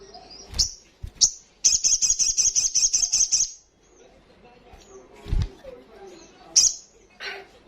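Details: Olive-backed sunbird (sogok ontong) in a fast ngalas song: a few sharp high chips, then a two-second run of rapid, shrill trilled notes, followed by quieter scattered chirps and another lone sharp note.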